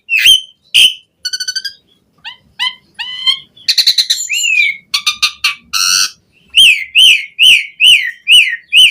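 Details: Asian pied starling varied song meant for training captive birds: clear whistles, rapid clicking rattles, harmonic nasal notes, then a regular series of about nine rising whistled notes repeated every half second.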